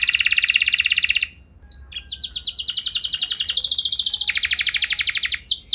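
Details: Canary singing as a lure to prompt other canaries to sing: fast rapid trills of repeated notes at high pitch, a short pause, then a long rolling tour shifting between high and lower trilled phrases.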